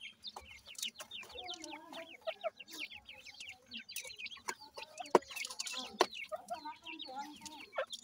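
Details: Grey francolin chicks at feeding time chatter in rapid high, curved chirps, roughly one a second. Softer mid-pitched notes and sharp clicks are mixed in.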